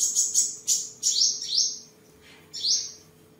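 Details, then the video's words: Sunbird of the seven-colour kind, kept at home in Tân Phú, Vietnam, singing and sparring on 23 July 2022; rapid, shrill, sliding trills run together for two seconds, a pause, then one more high bright phrase, with a low hum underneath. "Chim Hút Mật 7 Màu Thuần Ngày 23/7/2022 Hót, Múa, Đấu Đá"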